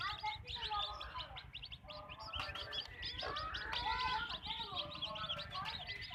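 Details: Backyard farm chickens, hens clucking: a dense, busy chorus of short high chirps overlaid with lower drawn-out harmonic calls, some sliding downward, from several birds calling at once.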